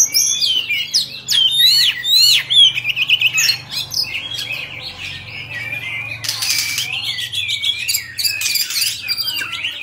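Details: An Oriental magpie-robin of the 'Bạch Bạng' type sings in a cage while fanning its tail. A fast, busy outpouring of squeaky whistles and chatter comes several notes per second, with a harsh noisy burst partway through.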